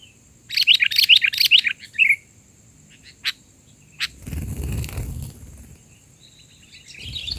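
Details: Sooty-headed bulbul singing loudly while being lured, a quick burst of bright chirpy notes over about one and a half seconds. Isolated clicks and a rustling handling noise follow, with a faint steady high hiss throughout.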